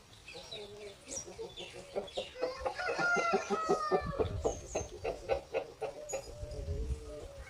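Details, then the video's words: Chickens on a farm, roosters and hens together, give a fast run of sharp clucks that builds to a loud, excited cackling series of about four notes a second, then eases off. "Moment of the sound of a chicken farm, roosters and hens making noise"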